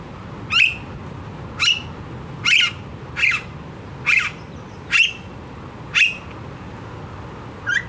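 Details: Noisy blue-faced honeyeater of Australia delivering a steady series of eight loud grating calls, close to one per second, each a short harsh squawk over quiet background hum.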